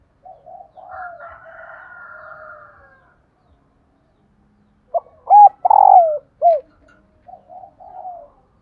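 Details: Female spotted dove calling so that captive males will coo: faint early murmurs, then a burst of short hooked notes with a throbbing downward coo, followed by a quieter trailing coo.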